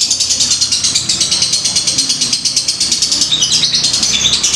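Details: Fighter lovebird in the ngetik ngekek singing style, used as a lure sound to provoke other lovebirds. A long, unbroken, high, buzzy chatter pulses rapidly about ten times a second, in a small indoor room.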